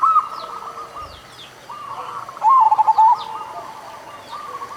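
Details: Local zebra dove singing, used to stimulate doves reluctant to sing: mostly faint background cooing, broken by one loud, quick, trilled burst of bubbly notes near the middle.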